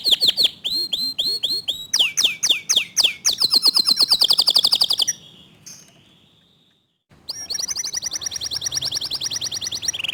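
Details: Local canary song, fast and tight: repeated loud downward-sliding whistles, then a rapid rolling trill, a few seconds of near silence, and a renewed high buzzy trill.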